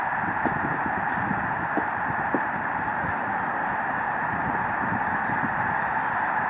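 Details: Vast flock of migrating Canadian snow geese on Lake Springfield, Springfield, Illinois: steady, crowded chorus of overlapping high nasal honks, with scattered single calls poking out at irregular moments.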